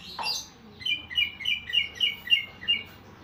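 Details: Greater green leafbird with an odd, unusual song: one sharp opening note, then a rhythmic series of seven clear, bright double-chirps spaced evenly about every quarter second, high-pitched over a quiet background.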